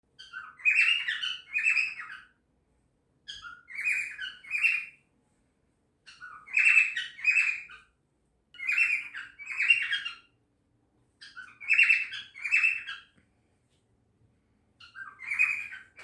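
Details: A 6-month-old cockatiel gives bursts of shrill, squeaky chirps, described as dolphin noises, repeated in pairs.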